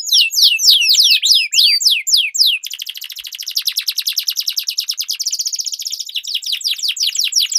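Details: Canary duel song meant as a lure for competition birds: quick descending whistled sweeps, then a fast buzzy trill of rapid repeated notes rolling on for several seconds.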